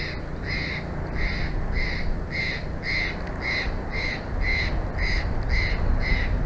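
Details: Bald eagles of a nesting pair at their nest in Big Bear Valley, on a live nature cam, 06/01/2024: a steady series of about twelve high, piping notes, evenly spaced about every half second, over a low rumbling hum.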